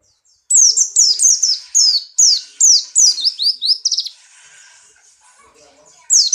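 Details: Buxtoni white-eye in strong breeding condition, leaping in its cage: a long, fast string of around a dozen loud, high, descending slurred notes, fading into quiet before another single sharp note.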